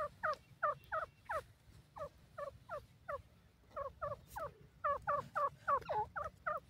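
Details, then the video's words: Teetar, or grey francolin, of the Indian open country, calling with quick, curling, squeaky notes in an uneven run of about three to four per second, over steady low hum. "teetar awaz,dakhne teetar ki awaz,teetar voice"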